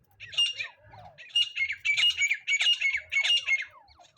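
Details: Francolin call used in trapping with a net: quick series of harsh, grating squawks with a metallic ring, bunched in rapid rhythmic bursts over four seconds.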